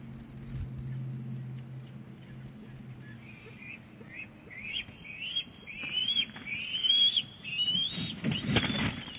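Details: Bald eagles at Big Bear Lake, an eaglet and its mother calling back and forth on 23 April 2018; a rapid series of high, thin, rising chirps that build into a louder squealing run, over low hum and background noise.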